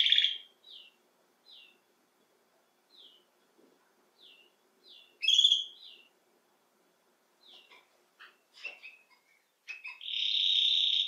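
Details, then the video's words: Domestic canary giving short separated chirps and brief phrases with pauses between, ending in a louder burst of continuous high trilling. "CANÁRIO BELGA CANTANDO - Conhecido como canário-do-reino"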